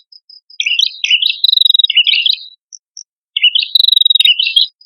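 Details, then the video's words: Pair of prinias, male and female, called prenjak kepala merah, singing energetically as a lure: two bursts of high scratchy notes and fine rattling trills, separated by nearly a second of quiet. "Suara Prenjak Kepala Merah Jantan Dan Prenjak Kepala Merah Betina Gacor Pancingan Burung Ombyokan"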